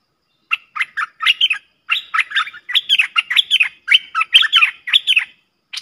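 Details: Song duel between two streak-eared bulbuls, lure recording made 30 October 2021: a steady run of chirpy, gurgling notes in short groups of three or four, clear and loud in silence.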